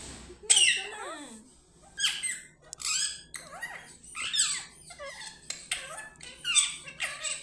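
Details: Angry pet parrot vocalizing indoors: a series of harsh, sweeping squawks and screechy chatter in separated bursts, some with falling and rising glides, spaced irregularly across the recording over a low background hum.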